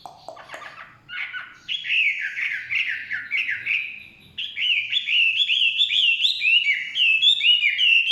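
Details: Chinese hwamei from the forest: a few rough, lower notes open, then a fast run of bright, repeated whistled phrases, each dipping and rising, gaining strength toward the end.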